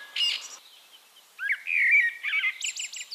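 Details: Eurasian blackbird song from Castricum, the Netherlands: a short high scratchy note, a pause, then a smooth fluting whistled phrase followed by a rapid series of high, squeaky chirps.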